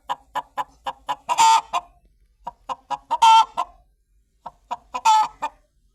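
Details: Three repeated phrases from a chicken: four or five sharp clucks accelerating into a loud, ragged squawk, with short pauses between the sequences.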